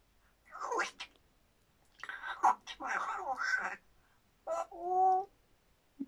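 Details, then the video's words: A grey parrot imitates sounds: speech-like chatter with sharp smacking kiss imitations amid talk about chewing and kisses, and one clear, tonal, rising note near the end. "Жако издает звуки поцелуев"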